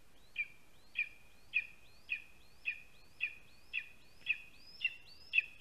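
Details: Hungry lesser spotted eagle chick calling to a parent carrying a vole at its spruce nest in Latvia, 27 July 2020; ten evenly spaced shrill whistled yelps, roughly two each second, each starting with a rising slur.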